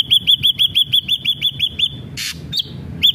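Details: Ashy drongo song from a lure recording used to start other ashy drongos singing: a rapid, even series of about eleven arched whistled notes, then a harsh scratchy burst and a few further whistles.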